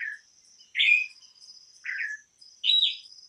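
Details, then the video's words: Campo troupial, an imported songbird, giving three spaced, full whistled phrases, each a brief warbled slur, roughly a second apart over a steady high buzzing background. "suara burung import campo troupial"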